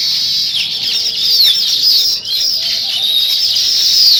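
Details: Morning chorus of sparrows: shrill, continuous chirping and quick slurred whistles from many birds at once, steady and dense, with a faint low hum underneath.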